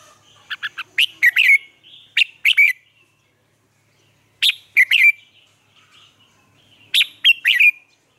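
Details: Red-whiskered bulbul used as a caged lure to train captive bulbuls, Vietnam: an opening rapid string of chirpy whistles, then a pause and two more crisp multi-note phrases, bright and slightly buzzy at the ends.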